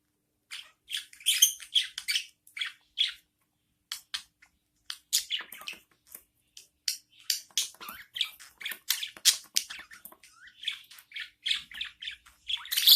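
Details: Newborn budgie chicks calling as the mother budgerigar feeds them, a dense run of grating chirps that grows busier and louder over the stretch, ending on a loud burst.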